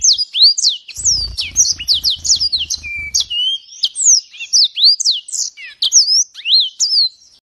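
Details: A yellow-fronted canary (green singing finch), a loud singer, sings a fast, unbroken stream of high sweet whistles, sweeps and short trills, with a soft low thumping early on.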